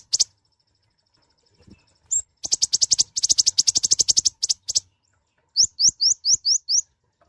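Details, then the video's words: Mouse-colored sunbird, a tiny nectar-feeding bird with a loud voice, singing actively: sharp, very high chirps, then a fast even run of buzzy notes lasting about two seconds, a pause, and six quick rising, whistled upslurs. "Kicauan suara burung Kolibri Ninja(konin) gacor"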